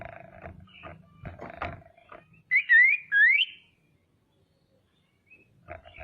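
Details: Female common iora calling to agitate rivals: after a stretch of rattling and knocking noises, three clear rising whistled slurs, each with a fainter upper echo, then quiet.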